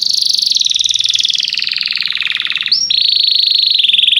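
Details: Canary singing to coach juvenile canaries in song: one long continuous rapid trill, slowly falling in pitch, then a short break and a steadier high roll.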